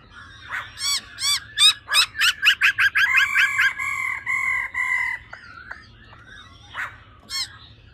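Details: Female laughingthrush giving a 'ro ro' call used to rouse males quickly: a fast series of loud, sharp rising notes, then steady level whistled tones, a pause and two more isolated sharp notes.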